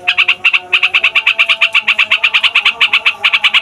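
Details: Yellow-vented bulbul's long rolling song, used as a lure for wild birds: quick, bright, evenly spaced notes in a running series, with two short pauses near the start.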